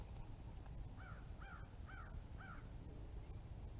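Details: A Red-bellied Woodpecker fledgling gives four short, hoarse, arched calls about every half second over a steady low rumble.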